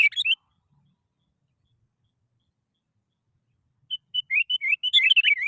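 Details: Sooty-headed bulbul song played to coax other bulbuls to sing. A short chirp opens, then after a long silence a quickening series of whistled, wavering notes builds into a dense chatter.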